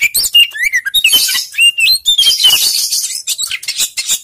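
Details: Oriental magpie-robin lure song to encourage a lazy bird: quick whistled phrases sliding up and down, followed by a sustained scratchy, hissing warble and scattered sharp chirps.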